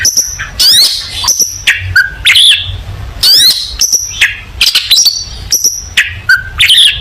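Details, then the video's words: Long-tailed shrike in vigorous song recorded as a model for young shrikes: repeated bursts of sharp whistles, steep slurs and brief harsh notes, phrases separated by short gaps. "Burung Cendet Gacor full masteran cocok untuk masteran cendet muda Belajar Bunyi"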